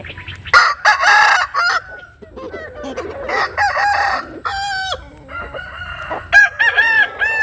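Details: Several roosters crowing at dawn while chickens sun themselves in the morning: overlapping harsh and clear crows, some long and drawn out with rich harmonics, mixed with clucks and short calls.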